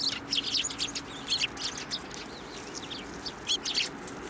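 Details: Several Eurasian tree sparrows flying to a hand for food at a Tenmangu shrine, December 2023; bursts of sharp, high chirps in quick clusters, then a quieter gap of softer notes before another lively chirping burst.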